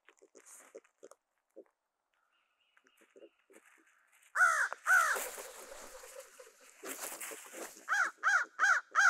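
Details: Crows harass black vultures on Christmas Day to retake their food: quiet scattered notes, then two loud harsh caws, a noisy flurry, and a run of four steady, strong caws about a third of a second apart.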